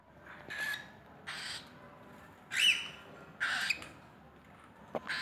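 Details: A tame female sun conure (Aratinga solstitialis) kept with cockatiels gives harsh, broadband squawks, repeated in short bursts about a second apart.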